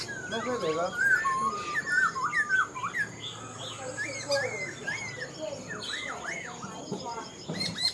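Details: Caged, wild-caught adult black-throated laughingthrush in partial moult, singing a long, varied run of loud whistled notes, slurred and looping up and down, with faint voices and indoor room hum behind.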